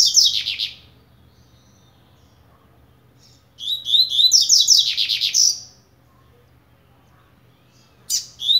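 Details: Double-collared seedeater, blade-type coleiro, starting to warm up: the end of one phrase, then a two-second stream of quick shrill chirps ending in a buzzy sweep, and a short fragment near the end.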